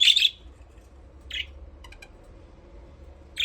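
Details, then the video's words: Budgerigars playing in an aviary: a loud rasping chirp opens, a softer one follows, faint clicking ticks, and another chirp begins at the end. "Budgies parrot chirping sound"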